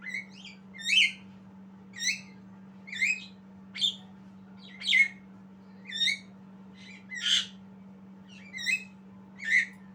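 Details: A young Javan myna practising its voice sings a run of about eleven short chirps, each rising then falling, roughly one per second and varied in harshness, against a steady low hum.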